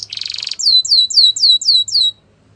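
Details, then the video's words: Canary song presented as Russian canary training song: a dry buzzy rattle, then a run of six high, clear notes that each slide downward, about four per second. "Russian Canary Singing"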